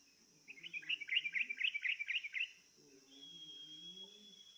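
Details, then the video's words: Yellow-vented bulbul (trucukan), lured with a playback so it sings along rather than being scared; a fast chattering trill of about eight bright notes, followed by a long thin steady whistle and a constant high hum. "dijamin trucukmu gak takut tapi malah ikut bunyi"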